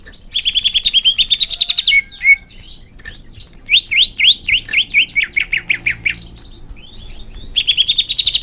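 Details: Greater green leafbird song played so caged birds sing more often: rapid chattering trill, short whistles, then a series of descending slurred notes and another fast buzzy run at the end.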